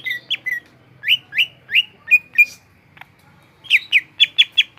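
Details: Greater green leafbird in gropyokan gacor song: a run of loud, evenly spaced, downslurred whistled notes, a short gap with a click, then a fast series of bright ringing notes.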